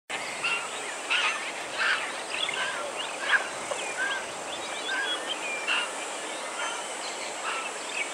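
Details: White-backed vultures (Gyps africanus) give a busy chorus of harsh, overlapping squeals and cackles.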